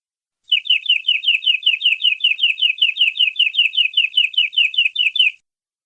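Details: A canary (Serinus canaria) delivers a long song, a rapid, even trill of about two dozen bright, downward-slurred notes, roughly five each second, over about five seconds.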